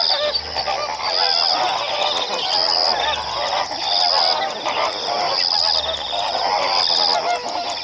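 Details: Greater and lesser flamingos honking in a crowd: loud, overlapping goose-like calls and guttural chatter, swelling slightly in waves, with a faint low thump and a thin high tone repeating every one to two seconds.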